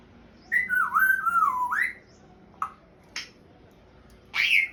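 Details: African grey parrot kept as a pet, trying to speak: a long wavering whistle that dips and climbs over more than a second, then two brief clicks or chirps and a final short, harsher whistled note.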